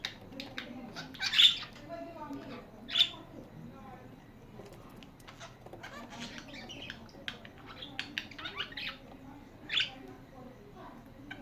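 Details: Indoor pet budgies giving scattered harsh squawks and short scratchy chirps, a few loud calls standing out above soft background chatter and faint voices.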